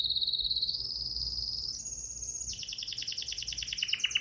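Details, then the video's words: Bulbul song made of a high, rapid trill that climbs in steps, then breaks into a run of quick, descending pulsed notes. "تغريد البلابل أجمل مقاطع تحفيز طيور البلابل على التغريد"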